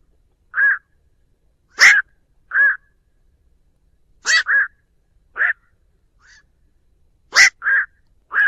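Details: Night heron, black-crowned, calling its flock in a clean trapping-lure recording: a run of short hoarse croaks, some rough and broad, others rounder and mid-pitched, coming in quick pairs and singles.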